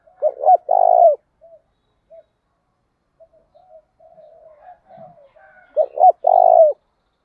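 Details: Spotted dove used as a lure, thổ đồng voice, calling to provoke a fight. Two full coo phrases about five seconds apart, each with paired short notes and a long vibrating coo, with soft distant dove calls between.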